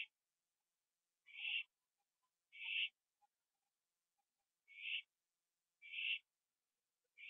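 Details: Owl at 11:15 PM on a porch, 21 September 2011, after a gopher meal; five harsh, breathy rasping bursts at uneven spacing, with faint soft clicks between them.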